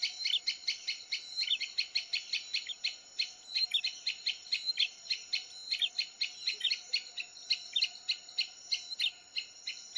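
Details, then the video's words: Male and female prinias trade rapid, sharp high chirps, about four or five a second, in a busy, noisy, unbroken chatter over a faint steady high hum; used as a lure call to make prinias answer. "SUARA PIKAT BURUNG PRENJAK JANTAN & BETINA RIBUT"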